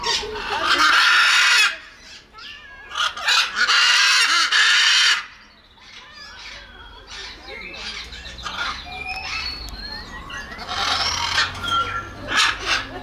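A macaw gives two long, harsh, raspy screeches, then softer chatter with short whistled notes. Voices may be heard faintly underneath.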